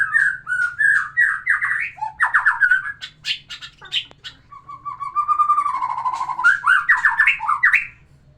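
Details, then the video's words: A white-rumped shama's song, played to stir a female into breeding condition: long run of loud, varied phrases, including rapid chattering notes, clear rising whistles and a sustained warbled passage, all over a soft low hum. "terapi kicauan murai batu biar pancing birahi betina"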